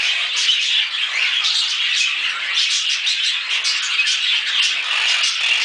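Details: A pet pair of Quaker parrots (monk parakeets, Myiopsitta monachus) chatter noisily in a constant stream of harsh, high squawks and chirps.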